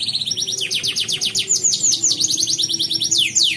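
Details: Competition canary from Pontianak, West Kalimantan, singing in an online contest: dense rapid trills of sharp descending notes, shifting into rolling rolls and a final pair of wide down-swoops, high and bright throughout.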